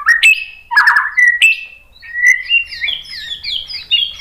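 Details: White-rumped shama singing to provoke rivals into song: rising whistles and a harsh chattering burst, followed by a sweet, rising series of varied warbled notes.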